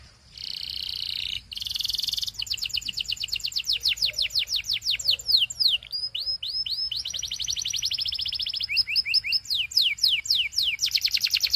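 A Belgian canary sings a fast, unbroken song of high trills and rapid repeated sweeping notes, shifting between rolling phrases.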